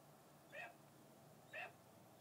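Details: Male red-tailed hawk, a falconry bird, calling while bathing outside his mews and talking to a visiting hawk: two short harsh, harmonic squeals about a second apart over a steady background hiss.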